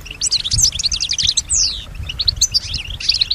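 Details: European goldfinch, female, imitating the sounds around her; fast jangling twitter run, a long downward-sliding whistle, then lighter chirps and twitters, over soft low thumps.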